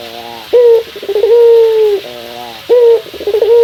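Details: Male Barbary dove challenging a rival on a morning: soft rolling purrs alternate with loud, sustained, low hooting coos that sag slightly in pitch, two full phrases.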